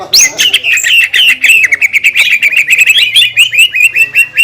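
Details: Energetic green leafbird song meant to agitate rival green leafbirds, opening with a high rising whistle, then a fast stream of chirps and trills, dense ticking notes running throughout.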